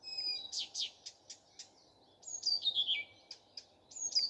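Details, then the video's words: Common nightingale in morning song: loud slurred notes and chips, then a cascade of whistles descending step by step, ending with a rising high note. "Nightingale singing. Утренее Пение Соловья."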